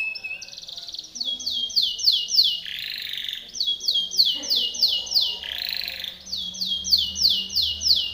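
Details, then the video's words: Timbrado canary in powerful song used for training. High rapid rolling trills of repeated notes run about three per second, broken by broader warbled bursts. A low hum sits underneath. "Timbrado canary's most powerful song for training"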